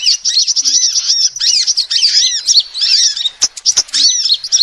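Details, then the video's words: Female sunbird calling, recorded for luring birds. High, thin chirps rise and fall in quick arched notes, packed into busy twittering runs, with brief sharp ticks near the end. "SUARA ASLI KOLIBRI BETINA ll Pikatan Jitu Sudah Terbukti"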